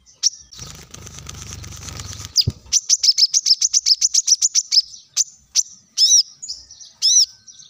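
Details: Plain-throated sunbird in lively song, played as a lure to get other birds singing: a rapid run of about twenty short, sharp, high chirps, then scattered arched whistled notes, with a brief low rumble at the start.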